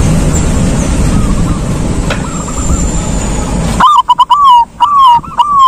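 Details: Zebra dove, a silver-coloured bird, singing: faint cooing phrases under steady hiss, then clearer, louder rolling coos with a trilled start and drawn-out ending, repeated about twice.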